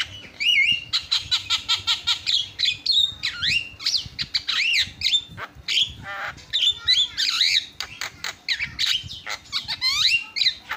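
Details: Javan myna in full song, with birds said to call back and forth, used as tutoring material: a long, varied medley of fast rattling chatter, swooping and looping whistles, and harsh squawks with hardly a pause.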